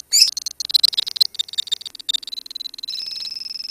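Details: Colony lovebirds chattering: a quick series of sharp, high ticking chirps at a fast, uneven pace, settling into a steady thin whistled trill over the last second.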